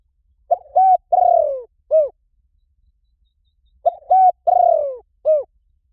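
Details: Spotted dove lure call repeated twice about three seconds apart, each a quick note, a level coo, a long tremulous descending coo and a short hooked note. Clear, with no other sounds.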